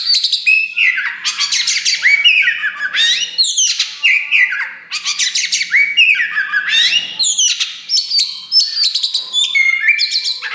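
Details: Loud caged Kacer wulung (Oriental magpie-robin) singing energetically, newly fanning its tail: rasping noisy bursts broken by bright downslurred whistles, a dense varied stream with hardly a pause.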